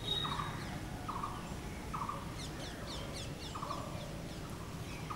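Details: Blue-throated barbet producing repeated short, rolling trilled notes about once a second, while another bird adds quick high chirps and twitters in the middle, all over a low steady hum.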